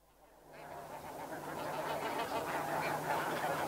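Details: Snow goose flock calling in flight at Chincoteague, Virginia, United States: a dense, continuous wash of overlapping nasal honks that swells in from near silence and stays loud throughout.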